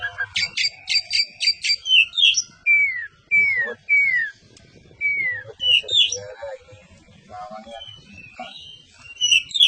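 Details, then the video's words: White-rumped shama, a prize-winning caged kacer, opening with a fast series of sharp repeated notes, then several clear downslurred whistles and a varied warbling finish. "burung kacer juara josss"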